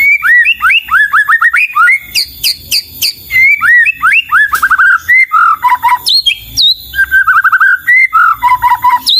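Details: White-rumped shama in full, loud song: rapid series of rising whistles, very high piercing notes, fast chattering runs and falling slurred phrases, varied and continuous.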